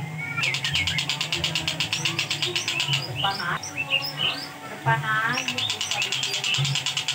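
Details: Long-tailed shrike singing at home, used as a tutor recording for training songbirds: rapid bursts of repeated high, sharp notes alternate with varied chattering and mimic-like phrases, over a steady low hum.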